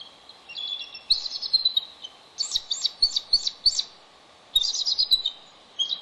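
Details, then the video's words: Male and female bald eagles call back and forth at a Santa Cruz Island nest in a restoration area as they trade incubation duty in the afternoon. Rapid, high, squealing chirps come in clustered runs separated by brief quiet gaps, with faint clicks. "A Noisy Afternoon Switch"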